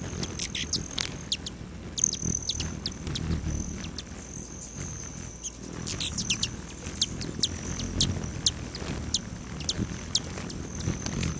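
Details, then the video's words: Hummingbirds at feeders on a west-facing lodge patio just outside the southern boundary of Great Sand Dunes National Park, Colorado, July 29 at 9:14 AM; scattered sharp high chips over a steady thin high buzzing trill, low rumble beneath. "Ten minutes of Hummingbirds"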